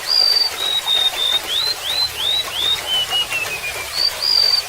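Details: Golden-bellied gerygone song over trickling water: a high, thin whistled phrase of level notes, then several quick upslurred whistles and a slowly falling series, ending on the opening high note, with a steady hiss of flowing water underneath.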